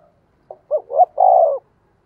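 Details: One cooing phrase from a decoy spotted dove used to lure wild doves: two quick soft notes followed by a sustained, slightly falling coo, clean and close.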